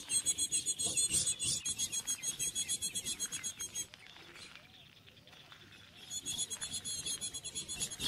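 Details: Female ultramarine grosbeak on a winter morning in the northeastern Brazilian caatinga gives a fast run of thin, high chipping notes, about four a second, pausing briefly before starting again; the owner describes it as calling to stimulate the male.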